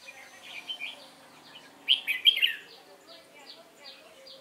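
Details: Wild-caught young red-whiskered bulbul recorded 22 October 2018 in competition song, a loud burst of three or four sharp whistled notes mid-clip, amid soft repeated chirps from other birds and faint talk.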